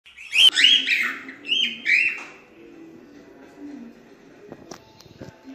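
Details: Cockatiel singing for a lesson in teaching cockatiels to sing: a burst of bright, warbled chirps with rising and falling notes over the first two seconds, then fading to soft chatter and faint clicks.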